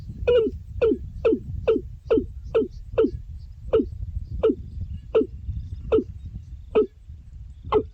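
Watercock giving about a dozen hollow, resonant notes, quick at first, then slowing to one every half second or so, over a low background rumble.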